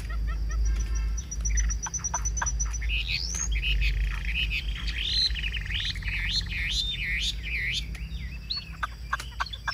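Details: Chinese hwamei cage bird in song: scattered clicks and a thin high trill, then a burst of varied looping whistled phrases, rising and falling quickly, with faint background music.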